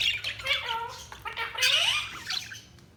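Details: Budgies chatter loudly, mixing scratchy squawks with bending, warbled whistles that rise and fall in quick succession.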